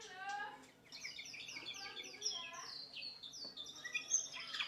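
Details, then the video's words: White-rumped shama singing as a training model for other birds: a short harmonic note at the start, then long run of high, sweeping whistled notes and trills with scattered sharp accents. "masteran full burung murai batu"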